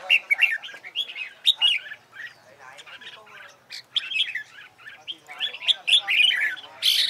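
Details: Red-whiskered bulbul singing in competition style, meant to train other birds: cheerful warbled phrases in bursts, a quieter pause near the middle, ending with a bright sharp note.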